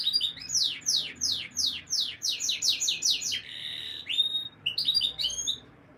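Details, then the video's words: Canary song played to encourage female mating readiness: a fast string of downward-sweeping whistled notes about four per second, a short buzzy trill, then clipped high notes and a pause. "Canary Breeding Conditioning Audio — Boost Your Female’s Mating Instincts"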